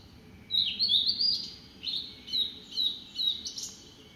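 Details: Blue-and-white flycatcher recorded on 24 June 2017, singing high clear whistled phrases that slur up and down, a long opening phrase followed by shorter repeated notes, over a faint low background hum.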